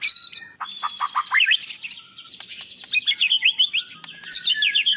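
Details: White-rumped shama, a national champion singer with mimicked phrases of cilalilin, canary and lovebird, pours out a rapid varied run of high chirps, slurred whistles and zigzag trills with brief pauses between bursts.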